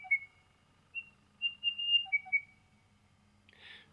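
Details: Crested bellbird recorded in Australia giving a ventriloquial call that starts soft and builds louder, making the bird hard to locate: clear whistled notes at steady pitch, some paired, separated by pauses, ending in a brief rustle.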